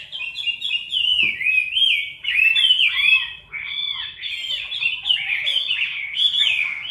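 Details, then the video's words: Competition singing from a caged Chinese hwamei that fluffs up and sings loudly: continuous rich whistled warbling, notes looping and swooping, phrases broken by brief pauses, with one faint low thump. "Mi mơ hót đấu cực "Đỉnh""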